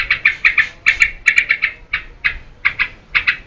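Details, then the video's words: Trucukan, the yellow-vented bulbul, singing energetically to lure and tutor cage birds; short clusters of two or three bubbly notes, separated by brief pauses, with a steady, bouncing rhythm. "SUARA TRUCUKAN GACOR UNTUK PANCINGAN DAN MASTERAN"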